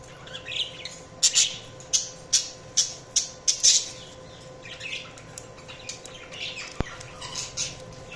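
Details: Budgerigar chatter made of sharp, scratchy high squawks repeated roughly every half second in a quick series, then softer twittering, with a single click near the end.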